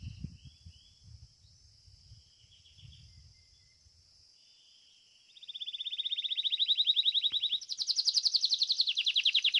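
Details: Competition entry of a domestic Belgian canary, fibra song style: quiet, faint notes and low background rumble at first, then a loud, even, rapid trill starting midway, jumping to a higher, louder rolled trill near the end.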